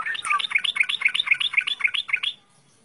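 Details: Yellow-vented bulbul song: a lively run of bubbly, gurgling notes repeated about four per second for over two seconds, then silence.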